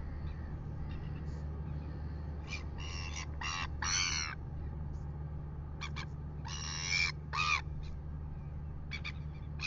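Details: Red-billed gulls pestering a royal albatross at 6:27 AM in New Zealand, caught on a live nest camera: bursts of harsh, screechy, buzzy calls, some short and clipped, others drawn out, over steady low wind rumble.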